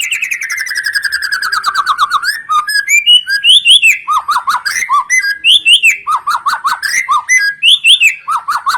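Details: White-rumped shama song used as a lure to get other birds singing: a rapid trill sliding downward, then loud varied whistled phrases with runs of repeated notes.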